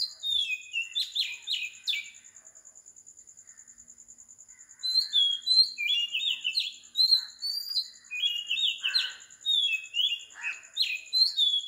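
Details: Oriental magpie-robin singing at 4 am in Sri Lanka: a varied string of clear whistles and sweet, slurred phrases, quick and mostly high-pitched, with a short lull between bursts.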